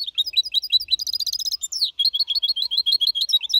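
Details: Goldfinch hybrid, four and a half months old, singing clean in a copied Malaga style, 2021: rapid high twittering notes, then a dense buzzy trill, then a run of quick repeated chirps.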